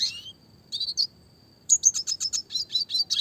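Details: Red siskin in classic lively song, a clear small-bird training recording in the fast rolling 'roll tembak' style: buzzy high notes, a pause over a faint steady whine, then a quick run of sharp chirps about five per second.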